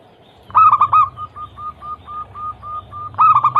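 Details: Zebra dove song, used to prompt other doves to sing: a hoarse rolling burst, then a steady line of soft, clipped coos, and a second rolling burst at the end over a low hum.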